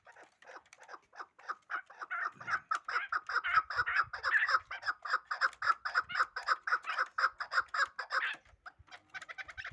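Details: Loud hybrid fighting chukar partridge delivering a long, driving series of harsh chuk notes, close to two per second, accelerating and strengthening in the middle before breaking off near the end.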